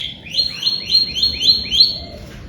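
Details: Canary with a bright-coloured plumage, singing a fast series of six identical rising-falling whistled trills about every quarter second, over a low background rumble.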